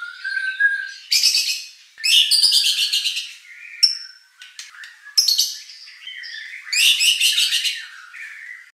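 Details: White-rumped shama song used to provoke competition birds into singing back: bursts of loud, harsh, buzzy notes alternating with clear whistles and short sharp chirps, high-pitched throughout.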